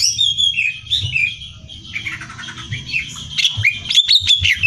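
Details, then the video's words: Greater green leafbird singing in energetic gacor style, offered as training material for song competitions: rapid varied high whistles and chirps, some sliding notes, then a burst of sharp clipped notes near the end, over a steady low hum. "Cucak Hijau Gacor Hiper Ampuh Buat Bahan Lomba"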